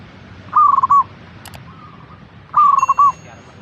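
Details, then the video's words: Zebra dove, local type, singing as a lure for caged doves: two rapid cooing phrases about two seconds apart, each a stuttered series of coos ending in a longer note, with a fainter dove phrase and a brief click between. "Pancingan Burung Perkutut Agar Cepat Bunyi - Zebra Dove"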